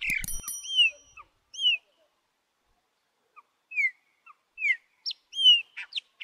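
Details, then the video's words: Chopi blackbird singing near its chicks, a species where the female also sings: clear, loud whistled notes sliding up and down, given singly or in short pairs with pauses between, one sharp clicking burst at the start. "Pássaro Preto Cantando e seus Filhotes"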